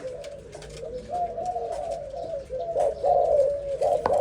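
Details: Young zebra dove giving a continuous run of soft, rolling, trilled cooing notes that gradually grow louder toward the end, over a steady background hiss.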